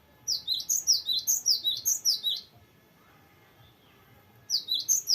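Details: Cinereous tit singing actively in the long, varied rolling style used for tutoring or luring young birds. A fast string of high, sharply falling whistled notes, grouped in twos, runs for two seconds, pauses, then resumes.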